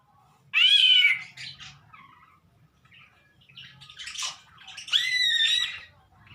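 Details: Greater green leafbird making strange calls: a loud nasal squawk with bending harmonics, quieter chattering notes, then a longer wavering harmonic call, with a faint low hum underneath.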